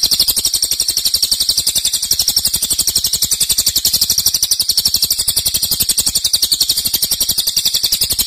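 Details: Cililin giving a loud, long-lasting rapid song. Piercing, high notes are repeated at machine-gun speed in an even, unbroken stream throughout.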